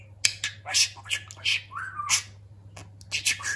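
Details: Talking pet budgerigar in a fast stream of scratchy, clicking chatter with one short rising whistled note in the middle, over a constant low hum.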